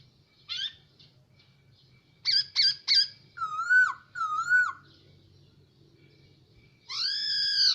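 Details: Caged hwamei singing in a room: scattered short high whistles, a pair of falling slurred notes, then after a quiet gap a loud arched whistled phrase, with a low hum throughout.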